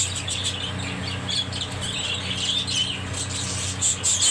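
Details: Budgerigars kept as pets, giving squawky chattering notes and brief warbles that grow louder near the end, with a low mechanical hum underneath.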